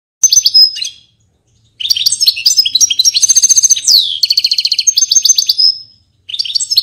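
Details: Portuguese European goldfinch singing: loud, high, fast tinkling twitters and buzzy trills, with a long rattling run and a sweeping downward slur, broken by short pauses.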